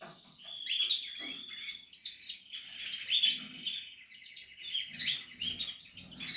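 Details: Portuguese harlequin canary singing during nest building in a breeding setting: bright, high warbled phrases with rapid rolling trills and short pauses between bursts, plus faint low rustling below.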